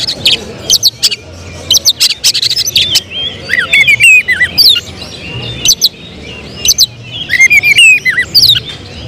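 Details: Caged oriental magpie-robin seen as a contest prospect, mixing harsh snapping bursts with varied rising and falling whistles in a busy, continuous song over a low hum.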